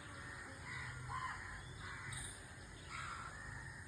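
A white-throated kingfisher gives harsh, grating calls in four short bursts about a second apart, with a steady low rumble of background noise.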